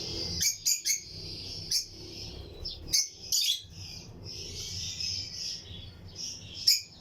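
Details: Lutino lovebirds, pairs in a breeding colony flight aviary, chirping among other birds: bright high chirps and squeaks over a steady shrill chatter, with a faint low hum underneath.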